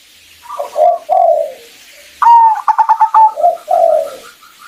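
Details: Local zebra dove, a female calling the male to stimulate his singing: low hoarse coos, then a clear whistled note broken into a fast series of staccato pulses, followed by more low falling coos.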